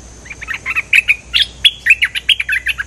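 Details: Lure recording of an actively singing cream-vented bulbul: steady series of short, sharp chirping notes, some slurred upward or downward, repeated at a brisk, fairly even rhythm for the whole stretch.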